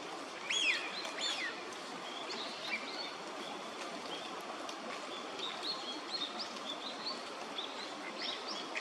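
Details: Eurasian wigeons in a park pond in Chiba, Japan, December 2025, with northern pintails nearby: clear whistled, rising-then-falling calls, several overlapping and repeated over a steady rushing background noise.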